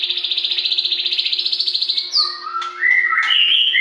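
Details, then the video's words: White-rumped shama singing loudly, a morning recording for training captive shamas: a steady pulsed rattle repeated about four times a second for two seconds, then clear whistled notes stepping between mid and high pitches. "SUARA LANTANG AMPUH MERANGSANG MURAI CEPAT GACOR"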